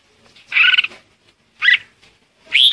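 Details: Red-whiskered bulbul lure song to call the flock: a scratchy fluttering note, a short clipped chirp, then an upward-sweeping whistle, spaced about a second apart.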